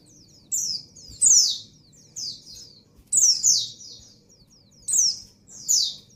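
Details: Breeding female white-eye calling for the male, giving loud high descending slurred notes in pairs spaced about a second apart, with quieter twitters and low hum behind.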